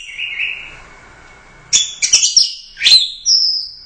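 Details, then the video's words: Orange-headed thrush, a first-place Royal Cup competition bird, singing: a soft, wavering low whistle, then a quick series of sharp, high chips and a loud slurred note ending in a sustained thin whistle. "Suara Burung Anis Merah | GACOR Teler Doyong Juara I Royal Cup"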